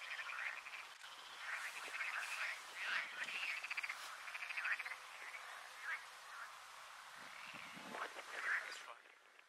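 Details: Baillon's crake (Zapornia pusilla) at Agia Varvara, Cyprus, in April 2023, giving dry, frog-like rattling trills in short, mid-pitched, scratchy bursts over a steady hum of marsh chorus.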